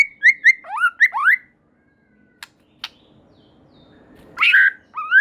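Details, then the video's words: White-rumped shama singing vigorously, a song said to set other shamas singing: a few quick rising whistled phrases, then a pause with faint clicks, then a loud burst of rich whistled notes near the end. "Murai Batu Gacor Super Mantul Murai Lain Otomatis Ikut Bunyi"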